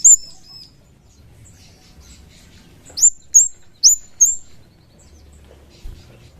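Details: Chestnut-capped thrush calling, played as a lure to provoke other birds into answering: four piercing, very high whistled notes, each dropping quickly in pitch, given in a tight burst over about a second and a half against quiet background.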